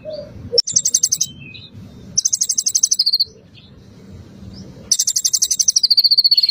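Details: Bar-winged prinia song with cililin and pelatuk bawang fill-ins, played as a lure to set a bird singing: a sharp note, then three rapid buzzy pulsed trills, the last longest and drawn downward, with quiet pauses between.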